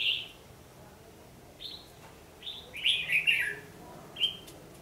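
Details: Red-whiskered bulbul fighting song used to lure birds into a trap, 14 December 2015: scattered short whistled notes building to a rapid cluster of three or four bright warbled notes, then a final chirp.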